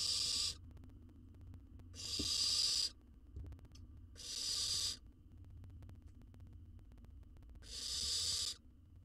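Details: Young wild owl filmed in a monitored Israeli nest box while being fed a jird makes four rough, snoring hisses at irregular two-to-three-second intervals, with small clicks and background hum.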